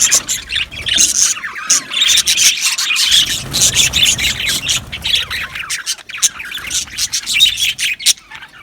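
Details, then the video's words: Australian budgerigars chirp in an aviary colony, sharp squawky notes and fast twittering coming in uneven waves, with short pauses between bursts. "Budgies chirping sounds"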